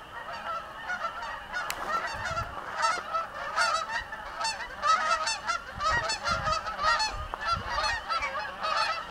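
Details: A flock of Canada geese passing overhead above a house honks continuously, many overlapping nasal two-note honks in a dense chorus with no pauses.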